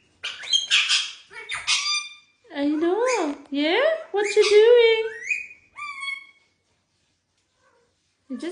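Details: Pet ringneck parakeet indoors being noisy: a run of loud harmonic squawks and warbling, wavering calls over about six seconds, then a pause and one more squawk, while a person repeatedly asks "what you doing".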